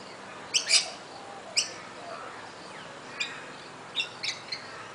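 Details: Rainbow lorikeet at Coffs Harbour, NSW, Australia, giving short, harsh, high-pitched screeches, singly and in quick pairs, scattered irregularly across a few seconds over a light background hiss.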